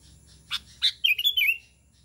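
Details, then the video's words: A bulbul call meant to attract other sooty-headed bulbuls: two quick clicks, then a rapid, gurgling phrase of four or five liquid notes falling slightly at the close. "Suara KUTILANG panggilan kutilang gacor memanggil kutilang lain"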